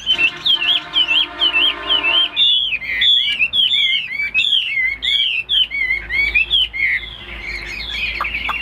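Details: Tame caged Chinese hwamei singing crisp, repeated whistled phrases with sharp upward and downward slurs, each phrase about half a second, loud and clear over a quiet room background.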